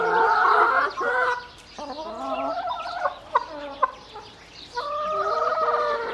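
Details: Several hens clucking: a loud, harmonic, drawn-out call opens, then quieter overlapping clucks and two sharp short notes, before another sustained, nasal cackling phrase at the end.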